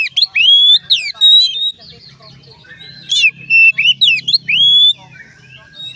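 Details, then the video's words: Oriental magpie-robin singing to get other magpie-robins calling, rich varied song of rising whistles and sliding notes in two loud bursts separated by a quieter pause, with a faint low hum beneath. "dijamin Kacer lain ikut bunyi"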